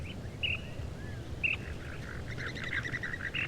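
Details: Cactus wren in the desert Southwest gives a harsh, rapid run of rasping chug notes near the end, with Gambel's quail and ash-throated flycatcher giving brief whistled notes earlier over a low rumble.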